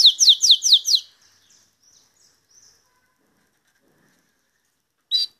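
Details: Belgian canary from Santa Catarina singing 'salsa': five quick, loud descending high strokes in a second, soft faint notes after, a long pause, then one short bright note.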